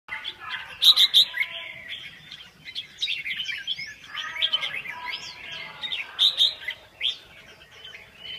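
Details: Red-whiskered bulbul singing amid several overlapping birds: bright chirpy warbled phrases with loud clustered bursts near the first second and again around six seconds, quieter twittering between them.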